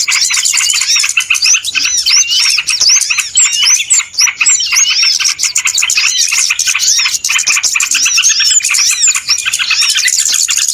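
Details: Noisy flock of small birds played as a trapping lure, a nonstop mass of sharp chirps, rising whistled notes and buzzy trills layered across ten seconds.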